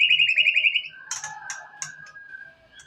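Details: White-rumped shama song played to provoke other shamas into singing: a quick trilled series of bright whistled notes, then scattered sharp clicks over a faint steady tone.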